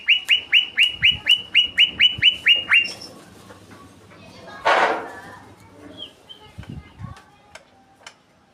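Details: Greater green leafbird in lively, rolling song: about eleven quick downward-sliding whistled notes repeated in a fast run over three seconds, then a loud rushing burst of noise and scattered sharp clicks and faint chirps.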